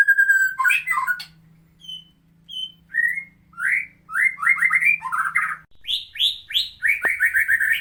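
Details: Medan-type white-rumped shama delivering its harsh tutor song for teaching other birds: a steady whistle, short thin notes, then escalating rapid bursts of rising whistled notes, climbing higher toward the end.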